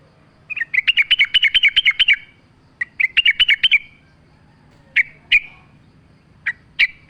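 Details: Against nature sounds, a sooty-headed bulbul on a lure track delivers a long fast trill of chirps, a shorter second trill, then scattered single sharp notes.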